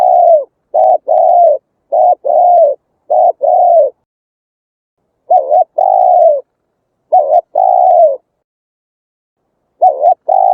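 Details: Spotted dove cooing, used through a loudspeaker to lure wild doves and train newly caught birds to coo. Low, mellow coos come in rhythmic groups of two to four notes, with pauses of a second or more between phrases. No other sounds.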